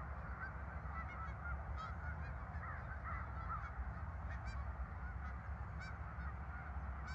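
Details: A flock of farm park geese on 10 November 2024 calls steadily, nasal honks crowding one another, with low rumbling noise beneath.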